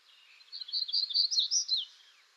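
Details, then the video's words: Black-throated grey warbler of western North America singing one clear song phrase: a quick series of high, buzzy, zigzagging notes for over a second. It grows louder toward the middle and then drops away, against quiet surroundings. "Black-throated Grey Warbler Bird Song"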